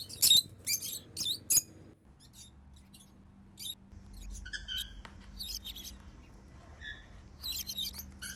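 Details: African lovebirds flying freely and calling happily: bursts of shrill, high chirps and squeaky notes in clusters, with quiet gaps and a faint low hum underneath.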